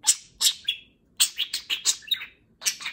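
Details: Pet budgerigar chattering loudly in the morning while a second budgie grooms it, the two being affectionate indoors; short bursts of high, scratchy chirps and warbled notes in clusters, broken by two brief silent pauses.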